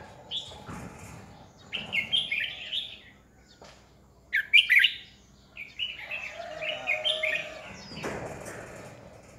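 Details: Decoy red-whiskered bulbul used to spur other bulbuls into fighting song, giving repeated warbled phrases of rising and falling chirps, one especially loud burst midway, with a broadband knock near the end.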